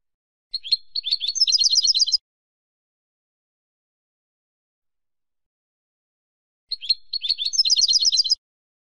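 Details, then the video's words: Two matching goldfinch song phrases, used in silvestrismo, about six seconds apart. Each opens with scattered sharp chirps, then breaks into a fast, liquid, high-pitched twittering run. Nothing else is audible. "CD DE JILGUERO"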